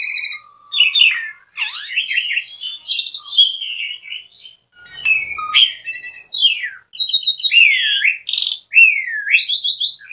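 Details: Varied Asian pied starling song with sliding whistles, scratchy chatter, sharp chirps and rapid repeated looping whistled notes over about ten seconds.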